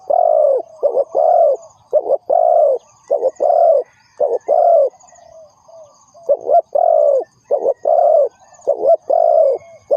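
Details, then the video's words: Lure spotted dove used for trapping, calling steadily with repeated phrases of clipped coos each ending in a longer, slightly falling coo, nearly one per second. A faint high trill is heard behind. "The Sound Of Spotted Dove is good,Bẫy cu gáy bằng mồi trồn,เสียงนกเขาใหญ่,Suara Terkukur Pikat Tua"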